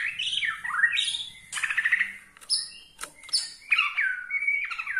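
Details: White-rumped shama in Borneo style, singing to anger rival shamas, pouring out loud sweeping whistles, a rattling trill and sharp chattering phrases in quick succession.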